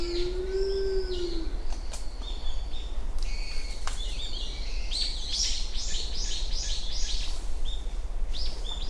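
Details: One low, arching hoot of a Japanese wood pigeon opens this early-morning recording from Uwashima, Kaminoseki, on 29 January 2024, followed by rapid, bright chirping phrases from small birds over a low background hum.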